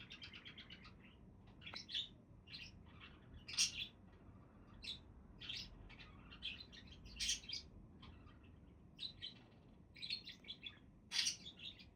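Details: Budgerigars chattering at a relaxed pace: a steady stream of short, high, scratchy chirps and warbles in irregular bursts, some louder notes standing out, over a faint low background hum.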